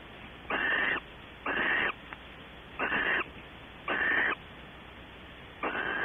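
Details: Barn owl at a nest box at Audubon Starr Ranch, California, evening from about 19:30 to 21:00, with mating and waiting. Five harsh, hissing bursts of about half a second each, spaced roughly a second apart, over steady low background hum.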